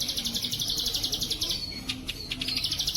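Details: Plain prinia, called ciblek sawah, singing in the bren cililin style as a clear-voiced training recording for pet birds: a rapid buzzy pulsed trill, about four pulses per second, broken briefly by short thin notes before resuming.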